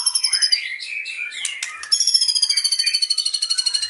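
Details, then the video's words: Fierce singing from a white-rumped shama with cililin fill-in material: busy jumbled high chatter and short sweeps, then a sustained run of fast, evenly spaced pulsing notes on steady high pitches. "MURAI PASTOL BONGKAR ISIAN CILILIN AUTO NGAMUK"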